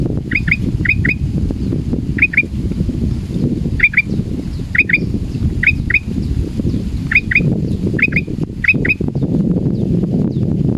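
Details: Male sooty-headed bulbul, frightened while hung at a cliff edge, gives short sharp chirps in quick pairs or triplets. The bursts repeat about every second over steady low rumbling wind noise.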